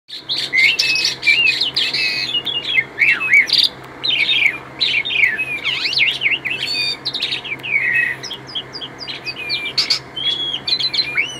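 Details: Asian pied starling singing a dense, varied song of whistled notes, rising and falling slurs, sharp chirps and buzzy bursts, nearly continuous for eleven seconds, over a steady low hum.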